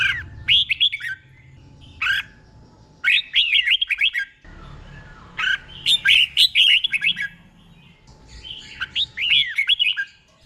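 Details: A caged Red-whiskered bulbul serves as a tutor bird, singing doubled 'beol' phrases for training. Five short bursts of rapid, clear whistled notes come about every two seconds over a faint low hum.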